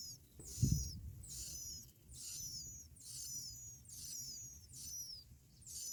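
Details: Bar-winged prinia young, fed black locusts by both parents; thin, very high, slightly falling squeaky calls repeated about every 0.8 seconds, seven or eight in a row, with one early thud.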